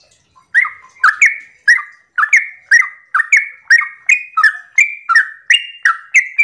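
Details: Morning 'ropel' song of a Yellow-vented bulbul, meant to provoke other bulbuls into singing; a steady, lively string of about twelve quick, warbling chirps, evenly spaced and roughly twice per second, in a quiet setting.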